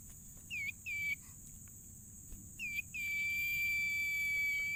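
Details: Tailorbird singing actively: two short notes swooping downward, then a long, pure, level whistle held for nearly two seconds. A constant high electronic-sounding tone and low background rumble persist throughout.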